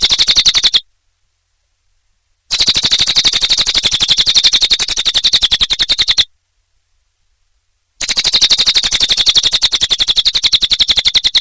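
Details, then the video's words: Cililin bird in full, lively song: a fast, even run of sharp high chips repeated about four times a second, cut by two stretches of complete silence. "Suara Burung Cililin Gacor Durasi Panjang"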